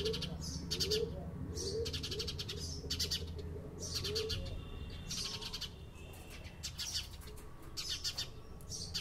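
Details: Lively house sparrow chirping in rhythmic bursts of rapid sharp notes, several in close succession, with faint lower warbling tones early on and a constant low hum.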